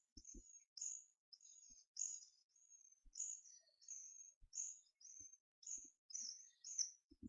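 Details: Twelve-day-old hawfinch chicks beg during hand-feeding, 4 May 2014: a steady stream of shrill high squeaks, some doubled, with faint low knocks between them.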